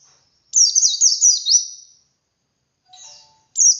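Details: A wild white-eye sings the 'ngalas' song with 'wit wit' variation, used to get captive birds singing: one long high phrase of rapid slurred descending notes, a faint softer call, then a new phrase starting.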